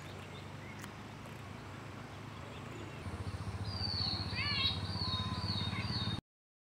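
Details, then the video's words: A long-tailed broadbill, shown displaying its plumage, gives a quick run of high, thin whistled notes over a steady low rumble like a distant engine. "Long Tailed Broadbill Call /Sound"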